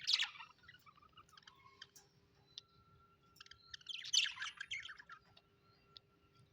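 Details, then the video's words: Budgerigars kept as pets, chirping happily: a loud squeaky burst at the start, soft scattered ticks and faint warbles, then a second bout of dense, harsh chattering, over a steady low room hum. "happy budgies chirping sound"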